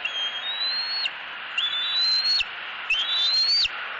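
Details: Young eaglet in southwest Florida, 4.3.18, screaming at its mother for food. Three long, thin, whistled squeals, each rising slowly and ending in a sharp flick, spaced about a second and a half apart over steady background hiss.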